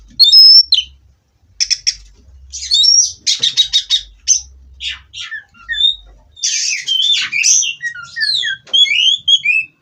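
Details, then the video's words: Captive Oriental magpie-robin (kacer) from a breeding farm, recorded as perch-steadying therapy: sharp whistles and dense buzzy rattles, then a long stretch of varied warbled, twisting notes, with a low hum underneath. "Terapi Burung Kacer Agar Stabil di Pedok"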